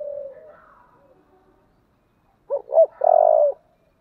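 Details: Spotted dove, 'thổ' voice style, thúc and calling coos: a fading low coo gives way to a pause, then two short rising notes and a strong, held hollow coo in a clean quiet setting.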